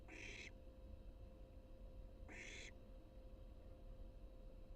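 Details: Wild barn owl at the nest as it fledges for the first time: two short, rasping, hiss-like screeches roughly two seconds apart, with a constant low background hum.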